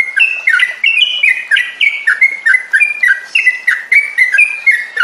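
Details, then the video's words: Lure recording of Sooty-headed bulbul song, played to get captive birds singing long and steadily. Busy, chattering phrases of short warbled notes follow one another rapidly, about three or four each second, dipping and rising in a rolling pattern. "SUARA PANCINGAN TRUCUKAN AGAR BUNYI DAN NGROPEL"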